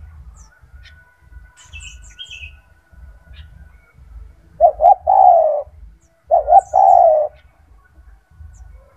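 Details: Loud gacor turtle dove kept in a cage, its song meant as a master for other doves. A quiet stretch is followed by two coo phrases near the end: two brief notes, then a long sustained note.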